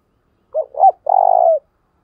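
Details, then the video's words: Spotted dove used as a lure bird, giving the 'thúc bổi' call to draw in wild doves: two short hooting notes followed by one long, purring, vibrating coo, in a clean, quiet recording. "tiếng cu mồi thúc bổi// tiếng chim cu gáy gọi mồi"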